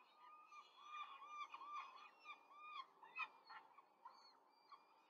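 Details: Peregrine falcon nest in Rome, 5 May 2023, the female feeding four chicks fast: drawn-out wavering squeals followed by shorter sharp calls, overlapping and irregular, over two per second.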